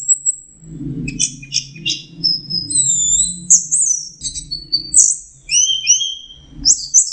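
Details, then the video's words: Orange-headed thrush producing a varied jumble of high whistles, chirps and slurred notes, with steady low humming and rumbling noise in the background. "Burung anis merah jenis burung kicau mahal dan suaranya merdu"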